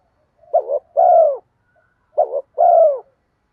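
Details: Spotted dove giving its lure coo: two matching phrases about 1.6 seconds apart, each a quick broken double note followed by a sustained, gently falling coo, low-pitched and clean against silence.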